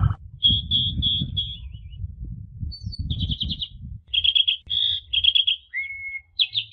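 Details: Asian pied starling song for teaching juveniles: a series of steady high whistles, then rapid trilled notes, a long level lower whistle and a final buzzy note, over low rumbling noise.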